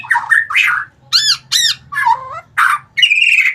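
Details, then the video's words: White-rumped shama song used as a lure to make lazy shamas start singing: harsh, squawking bursts and arched buzzy notes in quick succession, loud and close, with a faint low hum behind. "Pancingan burung murai batu malas bunyi jadi ikutan gacor"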